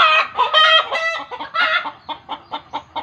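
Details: Chicken in alarm, believed in village lore to be reacting to a ghost: a loud run of harsh squawks, then shorter clucks spaced about a quarter second apart, fading.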